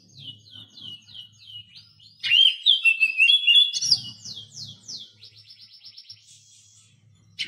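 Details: Oriental magpie-robin song used as a tutor recording to coax a captive bird that stays silent into singing: a run of quick descending whistled notes, a loud warbling burst, then a fast series of short rising chirps.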